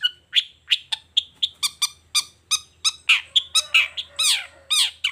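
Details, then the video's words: Long-tailed shrike singing in the morning, a series of evenly spaced, sharp clipped notes, later joined by louder rasping, slurred calls. "Suara Cendet Gacor Di Pagi Hari Toet Toet"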